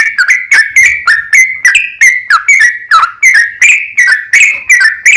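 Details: Fast continuous song of a sooty-headed bulbul, played to coax other bulbuls into singing back: evenly spaced clear whistles, each with a sharp onset, about three per second throughout.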